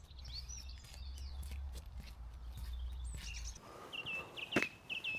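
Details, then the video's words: A song thrush sings short, bright whistled phrases, several repeated in quick succession, in pastoral Ribble Valley countryside in England in early February, with light rain in the air, after footsteps and low rumbling outdoor noise. "How amazing to hear that song thrush there."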